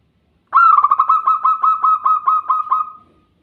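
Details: Zebra dove cooing: a rapid stuttering series of about twelve soft, pulsed notes at a steady mid pitch, evenly spaced over roughly two and a half seconds and fading at the end; no other sounds.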